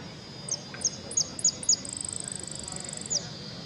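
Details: Saffron finch competing in the 'amarillo sin cierre' class at an interclub cup contest in Ciudadela, 08 03 2014: five sharp, high, down-slurred notes about every third of a second, then a rapid buzzy trill and a closing note, with faint background chatter.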